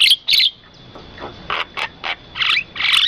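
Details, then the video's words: Bird song recorded beside rice fields: bright, high chirps in short bursts, some paired, with gaps between, over a steady thin high tone. "suara burung dan pemandangan sawah"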